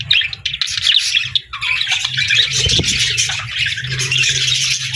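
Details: Pet budgerigar chirping happily in a playful, friendly mood: dense, continuous warbling chatter of scratchy chirps and squeaks, with a faint low hum underneath.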